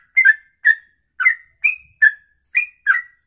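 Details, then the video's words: Caged songbird delivering a long 'ropelan' song style, sung in one breath for over two minutes; seven short slurred whistled notes, roughly every half second, each dipping or rising through a mid pitch with faint thin high overtones, no other sounds. "Inilah Ropelan Sekali Nafas 2 menit lebih"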